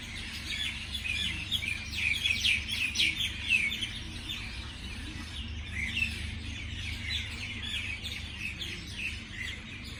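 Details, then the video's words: Morning birdsong from several birds: a dense run of fast, high twittering chirps in the first four seconds, then scattered softer chirps and brief trills continuing over steady low background noise. "美丽的早上美丽的鸟的鸣叫beautiful morning beautiful birds chirping sounds calls"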